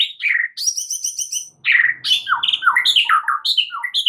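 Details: White-rumped shama song used as a lure to provoke other shamas into singing: a rapid run of high ticking notes, then varied loud whistled and slurred phrases, some falling, with little pause between them.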